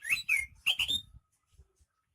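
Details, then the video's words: Greater green leafbird from Banyuwangi, called rare and in full voice, delivers four sharp whistled slurred notes within the first second, followed by near silence with faint low thumps. "Suara kicauan burung cucak ijo KTP Banyuwangi gacor"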